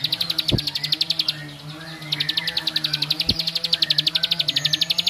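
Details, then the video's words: Bar-winged prinia giving a provoking ngebren song: a quick burst of high ticking notes, a short gap, then a long, even, rapid rattle, with a low background hum and two faint knocks. "Kicaun Cibl3k ini Bikin Semua Cibl3k Makin Emosi"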